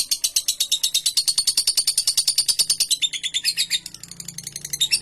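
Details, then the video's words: Lovebird in a long ngekek trill meant as a master recording for training birds: quick high rattling pulses repeated steadily, loosening into softer scattered chatter toward the end, with a faint low hum beneath. "MASTERAN BURUNG LOVEBIRD NGEKEK PANJANG 1 MENIT"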